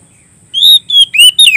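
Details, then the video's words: Oriental magpie-robin singing to summon a rival: four strong whistled phrases, some drawn-out and steady, others bending downward, following each other rapidly over a faint low background hum. "suara burung kacer gacor ngeplong memanggil lawan"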